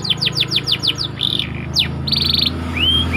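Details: Canary used as training bait, singing a rapid series of high descending whistled sweeps, then a buzzy sustained roll and upward-slurred notes, all loud and close.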